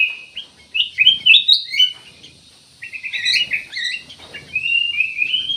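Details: Cucak emas, or ruby-throated bulbul, giving lively warbled phrases: a cluster of rising, chattering notes, a pause, then a run of rapid repeated chips ending in drawn-out slurred whistles.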